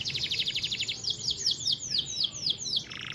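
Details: Canary singing a long, original, unembellished training song. A fast, bright, high buzzy trill rolls into a series of sweeping downward whistled notes, each about a quarter second apart, then a fast rattle at the end.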